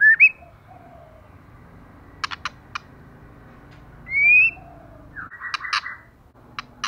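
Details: Female white-rumped shama, moulting and bald, singing hard: a short bright whistle, a cluster of sharp snapping clicks, a long rising whistle, then a harsh buzzy note mixed with more clicks.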